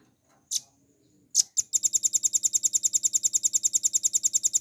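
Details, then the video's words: Captive velvet-fronted nuthatch, recorded clear with pauses for training songbirds: two isolated sharp calls, a brief gap, then a fast steady trill of high ringing pips continuing to the end. "RAMBATAN PARUH MERAH GACOR FULL NGEBREN NEMBAK PANJANG"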